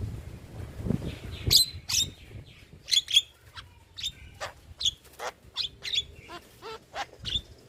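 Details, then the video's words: Tutor song for young starlings: a sparse run of sharp clicks and short whistled notes spaced under a second apart, with a few thin, higher squeaks and quiet background. "Masteran Burung Jalak Muda / Jalak Malas Bunyi Rutin Putarkan Agar Jalak Jadi Gacor"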